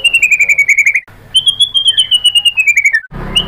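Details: White-rumped shama song played as a lure to rile a rival bird into replying: fast, rattling whistled trills that drift slowly downward, broken by a brief gap, ending with a sharp noisy burst.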